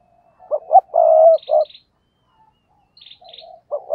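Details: Spotted dove kept as a decoy bird, giving a loud cooing phrase: two short clipped notes followed by a long rolling coo. A fainter dove answers with soft low coos near the end.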